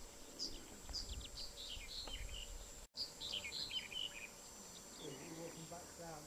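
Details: Greenish warbler (Phylloscopus trochiloides) singing: two rapid, jumbled bursts of thin, high chirping notes, separated by a short pause, over a low background rumble and faint voices.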